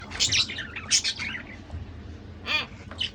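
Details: A pair of budgerigars chattering: bursts of high, scratchy chirps and squeaks in quick clusters, a pause, then a sharper rising-falling squawk and a final short chirp.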